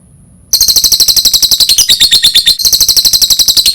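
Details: Lovebird calling, offered as a lure sound: after half a second of quiet, a fast run of shrill, high chirps at about four per second continues to the end, broken only by a brief pause near the middle.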